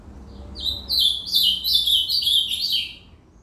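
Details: Singing ultramarine grosbeak: one high note, then a rapid, bubbling string of sweet, slurred notes that rise and fall for about two seconds, clear against a near-silent background.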